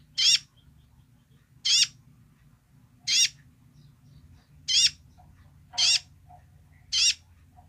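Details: Kolibri ninja sunbird, vocal and active, delivering its basic song: six quick, raspy, high calls at about one-and-a-half-second intervals, with a low hum underneath.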